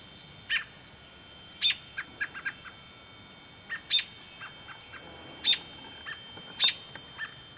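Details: American robin fledgling in Smethport, Pennsylvania, giving sharp, rasping chirps at irregular intervals, each followed by a few softer, shorter notes, with a faint steady high whine in the background.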